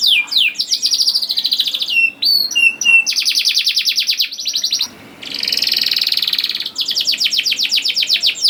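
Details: Canary song meant to prompt young canaries to sing: sweeping slurs, clear downward whistles, long rapid trills broken by short pauses, and a buzzy roll before a final fast rattle.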